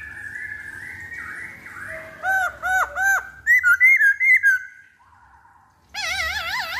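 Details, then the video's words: Lure song of a Black-throated laughingthrush: soft warbling, then a run of loud arched whistles, a rapid series of short bright notes, a brief pause and a wavering trilled whistle. "Pancingan Poksay Hongkong Paling Ampuh"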